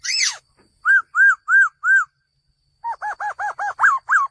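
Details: Male laughingthrush calling: a harsh downslurred note, then four clear arched whistles about a third of a second apart, then a quick run of eight doubled whistled notes.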